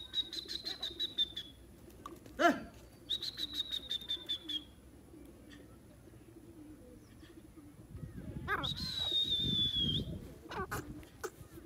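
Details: Caged francolin, called Irani teetar, kept with partridges and pheasants; long high whistled notes with trilled, stuttering onsets, repeated a few times, with clicks and rustling between phrases.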